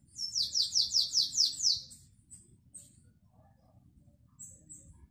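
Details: Canary in the classic Belgian singing style, 2021, delivering a quick run of seven downward-sweeping high notes, then scattered thin high chirps over faint low room noise.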